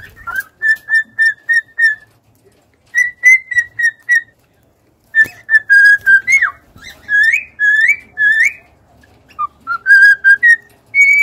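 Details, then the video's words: Cockatiel song of quick repeated whistles in bursts of four to six, then rising slurred notes and upward-bending whistles near the end. "an hour of cockatiels singing!"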